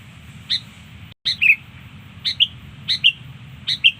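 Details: Lure song of a sooty-headed bulbul, quick two-note whistled phrases with the second note lower, repeated about every half second after a short gap, low hum beneath.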